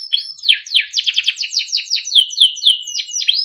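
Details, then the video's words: Timbrado canary, a small yellow bird, singing for training: a quick run of downward-swooping chirps repeated about four per second, then a steady held whistle under the notes, bright and high. "Timbrado canary singing beautiful melodic songs for training"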